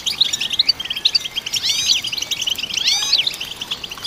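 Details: European goldfinch song, played to stimulate goldfinches: dense high tinkling twitter with quick chirps and several sweeping, rising-and-falling slurred notes near the middle and end, delivered continuously without pause.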